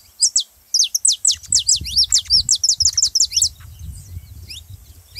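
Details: Saffron finch song for stimulating canaries to sing: a crisp, even run of about a dozen loud, high falling chips in quick succession, then softer notes, over a low rumble.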